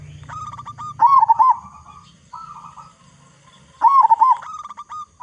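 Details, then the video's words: Zebra dove singing as a lure for other doves, a local bird noted for its big voice: two loud bursts of rolling, looping coos, with softer cooing from other doves and a low hum underneath. "Perkutut Lokal Gacor Suara Besar Cocok Untuk Pancingan Semua Jenis Burung Perkutut Agar Cepat Bunyi"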